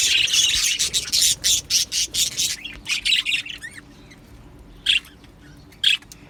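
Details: Budgies, Australian parrots in an aviary colony, give a run of loud, harsh chirps repeated about twice a second, then fall mostly quiet with a few soft warbles and two isolated sharp chirps.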